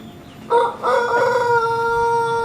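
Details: Pelung chicken rooster from a breeders' group in Sukabumi, Indonesia, practising its crow at home while sunning; a loud harmonic crow opens with broken notes, then holds one long steady tone to the end.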